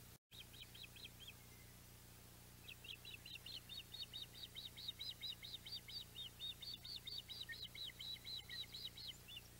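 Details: Osprey at the Audubon Boathouse nest with a mackerel, 14 July 2021: after a brief silence, a long run of sharp, high chirped whistles, about two per second, rising in intensity toward the end, with steady low background hum.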